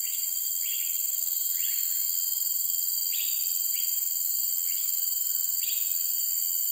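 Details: A cream-vented bulbul in Singapore forest or forest edge gives short, slurred, mid-pitched call notes at uneven intervals, about one a second. A steady high insect drone fills the background.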